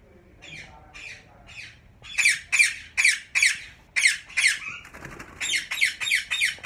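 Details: Captive yellow Indian ringneck parakeet pairs at Mian Channu: harsh squawks repeated about every third of a second, quieter at first, then louder and more insistent, in a small room.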